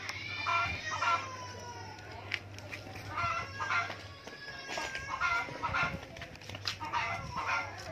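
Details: A long-tailed shrike being trained to become tame gives harsh, nasal, grating notes in short bursts every second or so, over a low steady hum, with a man speaking briefly.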